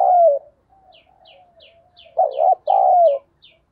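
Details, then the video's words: Calling coos of a decoy spotted dove: a sustained mellow coo, a stretch of soft murmuring notes, then two loud burry coos close together, while a small bird chips thinly and repeatedly in the background. "Chim Cu Mồi gáy gọi và Thúc Bổi hay"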